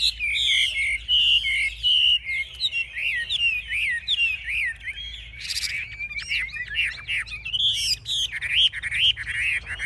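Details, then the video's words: A caged Chinese hwamei, a hard-fighting bird displaying with raised wings and spread tail, gives a rich varied song of clear whistles, warbled slurs and short buzzy bursts with brief pauses. "Họa mi chơi cánh cao đuôi xòe - Em này đấu ác"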